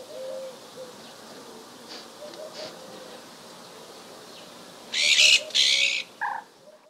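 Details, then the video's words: Iberian magpie recorded in winter, 31 December 2011, in Ria Formosa Natural Park, southern Portugal: two loud, harsh rasping calls in quick succession, then a shorter nasal note; faint soft calls from other birds earlier. "PIE-Bleue/Cyanopica cyanus/Cris"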